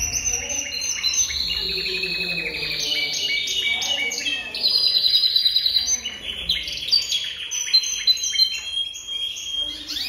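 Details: Jaspe canary singing a dense, rapid warbling song of fast trills and twittering rolls, high-pitched and continuous, with louder bursts toward the middle and end.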